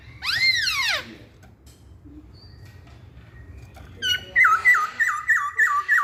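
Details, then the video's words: Masked laughingthrush giving one loud arched note that rises and then falls. After a quiet gap comes a quick series of ringing, down-slurred whistles repeated about every third of a second. "Kicauan Poksay Hongkong"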